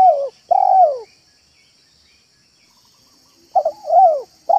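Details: Spotted dove cooing in the manggung style, played as a lure to attract doves: clear, low hooted coo notes, two at the start, then a pause before a two-part coo phrase and a further note.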